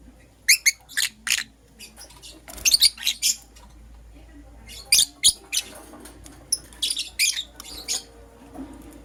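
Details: Green personata and yellow pastel pied lovebirds chirping in the morning, giving clustered high, rasping squeaks in quick groups of two to four, separated by short pauses.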